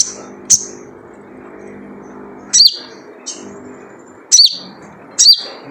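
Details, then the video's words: Typical 'jrejet cuit' call of a wild spiderhunter, used to lure birds to sing: a short high tick, then shrill downslurred chirps in pairs at uneven intervals over a soft hum. "Jrejet Cuit Suara Panggilan Khas Sogon Liar untuk pancingan sogon agar gacor"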